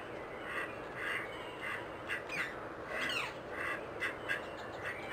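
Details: Wild rose-ringed parakeet calling in Amsterdam: harsh, grating screeches repeated about every half second, with a few quick downward-sweeping shrieks in the middle, over steady background hiss.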